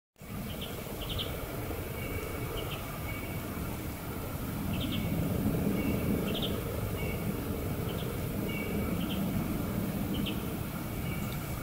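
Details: Eurasian bullfinch perched in a maple gives soft, short piping notes, often in pairs, repeated every second or so, over a loud steady rumble of traffic.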